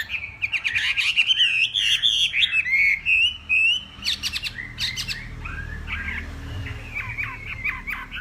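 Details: Hwamei from Northwest Vietnam singing a morning contest song: rich, varied whistles and rapid warbles, broken by sharp clicking notes and quick trills, then softer slurred phrases, over a low background rumble.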